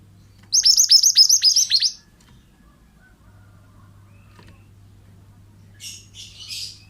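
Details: Male pied bushchat in vigorous song, used to tutor other birds: a burst of around eight fast, shrill, falling notes over about a second and a half, followed by quiet and a soft, hissy twitter later.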